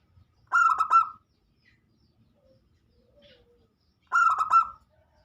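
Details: Local zebra dove singing lively as a lure to set off other doves: two rolling phrases of quick pulsed coos finishing in a longer note, about three and a half seconds apart, with faint distant chirps between.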